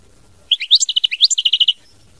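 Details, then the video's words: European goldfinch singing a 'mama binette' style song: a quick run of about a dozen bright, high, tinkling notes with a few rising slurs, lasting just over a second, against a quiet background. "Chant Chardonneret mama binette"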